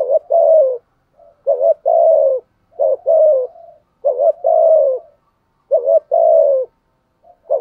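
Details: Caged lure spotted dove cooing to provoke wild males. Low, mellow phrases come in repeated pairs: a short clipped note followed by a longer falling coo, about every one and a half seconds, in a quiet setting.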